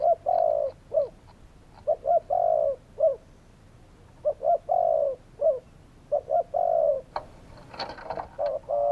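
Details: Spotted doves calling in repeated low, hollow cooing phrases of short and long notes, with a brief burst of broadband rustling noise near the end over the final coos.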